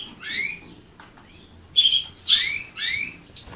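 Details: Canary producing quick rising chirps in close succession, several per second near the end, mixed with a harsher flat note and a loud burst; quiet room background.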